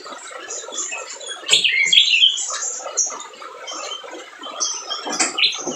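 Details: Excited spiderhunter song used to stir silent birds into singing: rapid, squeaky, high chatter broken by sharp loud squeals, a rough burst around the middle and another near the end.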